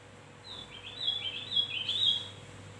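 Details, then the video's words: Quieter, slightly muffled burst of fast high warbling from a Javan grey-throated white-eye, used as a lure to attract birds, with a steady background hum throughout. "Opior Jawa pancingan gacor dor"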